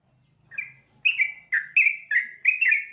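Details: At dawn, a yellow-vented bulbul fed rice crust sings short, liquid chirping phrases, each a rich downward-slurred note, repeated about every third of a second after a soft opening note; faint low hum behind.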